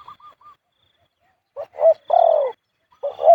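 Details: Spotted Dove cooing in the khu-ang style, marked bird at point 38. Short soft coos, then a gap, then bursts of two clipped notes and a long, loud, slightly falling coo, all mid-pitched and clear against silence.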